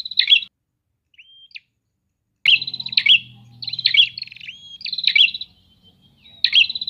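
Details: Several prinias calling back and forth: loud bursts of sharp, buzzy chirping notes, high-pitched and repeated in quick phrases, with short thin whistles and a faint low hum between bursts.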